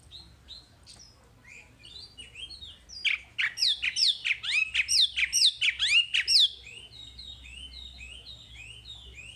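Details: Wambi singing a masteran training song: quiet thin chirps, then a dense burst of rapid steep descending whistled notes for about three seconds, fading back to soft high twitters, with a faint low hum beneath.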